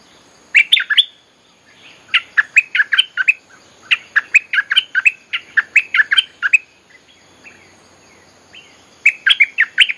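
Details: Streak-eared Bulbul song used to call wild birds, with long runs of rapid, cheerful warbled chirps repeated in rhythmic phrases and brief pauses between them.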